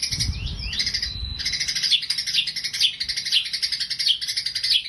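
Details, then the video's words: White-rumped shama pouring out a dense, continuous high twittering song with slurred whistles and buzzy trills, faint low rumble beneath. "murai rasa gereja"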